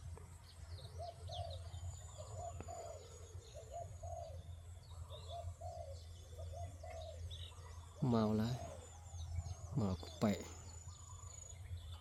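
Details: Trapping decoy spotted dove luring wild doves, cooing in repeated low mellow phrases for about six seconds over faint high bird chirps, followed by two bursts of a man's speech.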